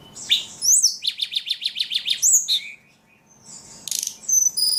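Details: Ledekan song opening with swooping whistles, then a quick run of about nine repeated buzzy notes, a pause, and thin high whistles with a harsh burst.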